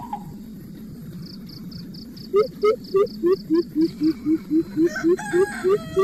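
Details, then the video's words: Mother coucal scolding her chicks, which stay hungry after much feeding: a fast run of low hollow hoots, about four per second, rising slightly in pitch, with a high rapid ticking series and other birdsong behind. "INDUK BURUNG BUBUT Marah KEPADA ANAKNYA SUDAH BANYAK DI BERI MAKANAN TAPI TIDAK KENYANG JUGA"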